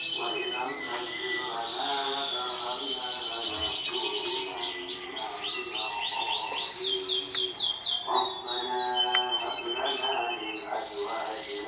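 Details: Canary, a 2014 competition winner, singing rolling trills and repeated down-slurred notes over a busy background of lower tones and other chirping.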